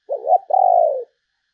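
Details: Spotted dove calling as a decoy for other doves: a wavering double coo followed by a long, pulsing, slowly falling coo, low-pitched and smooth.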